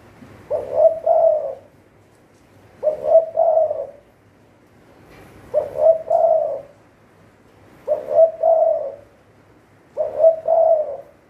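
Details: Spotted dove serving as a trapping decoy, calling five regular cooing phrases, each a brief note then a longer mellow coo, repeated about every two and a half seconds.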